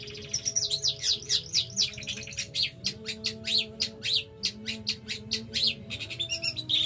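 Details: Long-tailed shrike from East Java singing vigorously: quick sweeping high chirps for two seconds, then a run of sharp, clicky notes about three per second, over a faint low steady hum.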